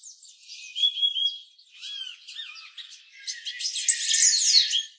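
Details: Purple-throated euphonia giving short whistled slurs and a few falling notes, followed by a rising spell of rapid, harsh, buzzy twittering that grows louder toward the end.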